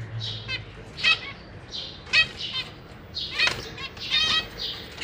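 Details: Captive zebra finches in a cage with juvenile and newly fledged babies while the parents feed them: short harsh buzzy chirps with stacked bands, scattered across five seconds, mixed with soft wing flutters.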